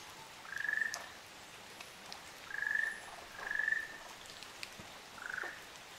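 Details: Ryukyu ruddy kingfisher pair recorded on Amami Oshima, Japan, gives four short purring trills. Two sit close together mid-clip, and the final trill sounds lower and slurred. Soft dripping can be heard behind them.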